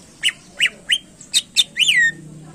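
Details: Greater green leafbird singing to rouse competition birds: five sharp, evenly spaced chirps followed by a longer falling, buzzy whistle.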